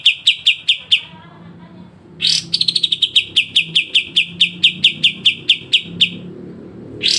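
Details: Pied triller song for training cage birds: short chip series, a pause with faint low murmuring, then a harsh burst opening into a long, steady run of crisp repeated notes, roughly three per second.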